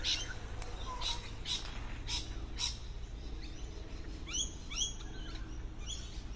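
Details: Lorikeet calls from a tree where the birds blend in and are hard to find: spaced raspy shrieks in the first half, then a tighter cluster of sharp sweeping squeals, with low ambient rumble beneath.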